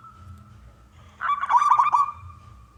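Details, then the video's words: Male local wild zebra dove singing to coax other doves into song. A single quavering, rolling coo phrase rises out of a faint steady tone and low background rumble. "perkutut lokal gacor suara jantan"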